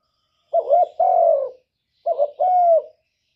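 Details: Cock spotted dove cooing so a hen will lay. Two matching phrases about one and a half seconds apart, each a short hiccuping note pair leading into a long, soft, descending coo. Faint higher chirps sound in the background.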